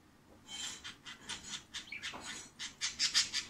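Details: Secretly recorded female pet budgerigar producing harsh repeated buzzing pulses, with a brief squeaky note in the middle before the rattling "bububu" resumes, growing louder at the end.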